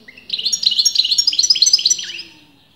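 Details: Caged European goldfinch, sex disputed by breeders, delivering a quick two-second phrase of bright, repeated twittering notes ending in a falling whistle.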